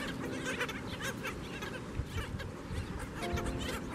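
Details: Many skimmers calling at their breeding colony before daybreak, giving overlapping clipped nasal yaps in a continuous busy chorus over a constant low drone.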